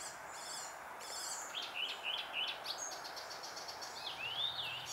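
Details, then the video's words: Icterine warbler in June 2021 delivering scratchy high chatter, then three clear repeated whistled notes, followed by a long rising whistled sweep and more varied twittering. "koncert zaganiacza"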